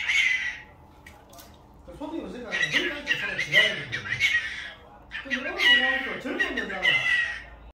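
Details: Pet cockatiel at a mother's home, its calls likened to a human voice: a short raspy squawk, a quiet gap, then long chattering runs of harsh, voice-like sliding notes in two bouts.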